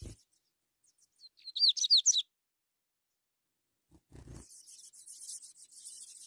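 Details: Ultramarine grosbeak chicks being fed by an adult give a quick burst of high, thin, rising-and-falling begging notes, about four a second, followed by a low thump and a rustling hiss.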